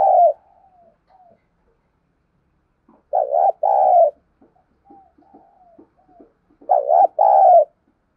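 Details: Spotted dove decoy call, played so that wild birds start cooing: three groups of deep, throaty two-part coos spaced about three seconds apart, with soft broken murmuring notes between them.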